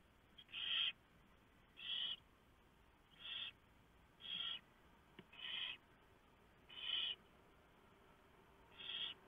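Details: Barn owl nest at 3:59 AM in November 2015, where the owlets are fed a huge mouse the male brought in. Seven short, breathy hisses repeat fairly evenly, about every second and a quarter, over a low background hiss.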